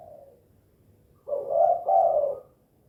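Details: Spotted dove (tekukur) in 'kuk 2' calling style, delivering one loud, husky double coo after a faint earlier note.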